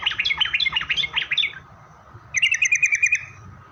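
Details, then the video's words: Lure song of a sooty-headed bulbul, meant to make other bulbuls reply: a dense jumble of chirped notes, a brief pause, then a fast even series of sharp repeated notes. "suara Trucukan gacor gaja Pikat ini Rajanya bikin nyaut trucuk"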